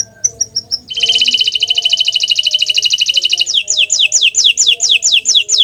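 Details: Bottle-green canary singing a few short high pips, then a loud dense buzzy trill lasting over two seconds, followed by repeated sweeping down-slurred whistles.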